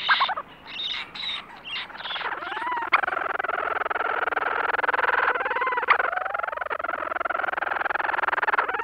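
Leach's Storm-Petrel gives a long, fast, purring chatter with rising squeaky notes woven through, after a brief spoken announcement.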